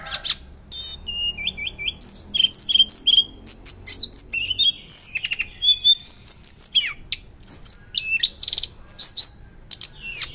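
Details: Hill blue flycatcher in loud, fluting song: a continuous stream of high whistles, rapid slurred trills and sharp chips, phrases changing every second or so, bright and piercing throughout with little background noise.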